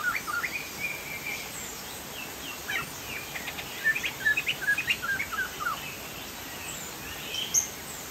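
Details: Chinese hwamei (poksay jambul, Sumatra) in lively 'gacor' song: scattered whistled phrases early, then a dense middle burst of rapid slurred notes, fading to sparse high notes, all over a noisy hiss.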